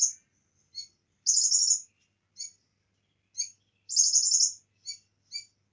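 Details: Energetic bar-winged prinia song filled with cililin phrases: two long, very high, grating trills separated by short, evenly spaced chips, in clean silence.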